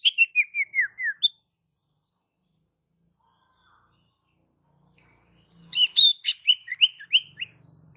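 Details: Female Ashy Tailorbird calling to attract males: a quick falling series of clear chips, a long silence, then a run of buzzy, chattering chip notes over a faint low hum.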